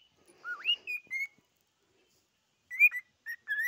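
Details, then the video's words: Cockatiel song heard as a swooping whistle that dips then climbs, two short level notes, a pause of over a second, then a few brief whistled notes to close. "попугай корелла поёт"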